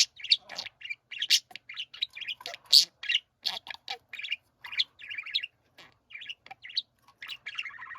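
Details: Budgerigars kept as pets warble together, giving quick bursts of bright chirps and harsh scratchy notes in close succession with short gaps, a lively group chatter.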